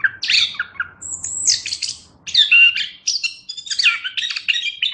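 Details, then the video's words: Chestnut-capped thrush singing a short burst of harsh squeaky notes, a long high thin whistle and scratchy warbled phrases, with brief quiet gaps between phrases. "Suara Burung Anis Kembang"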